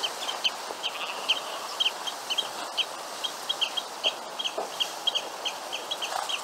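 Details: Grey (Red) Phalarope, Phalaropus fulicarius, giving quick, high, sharp chips in rapid, uneven series over a steady background hiss.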